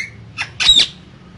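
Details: Caged green parrots, two of them: a faint short whistle, then a brief raspy note and one loud, harsh squawk lasting about a quarter second.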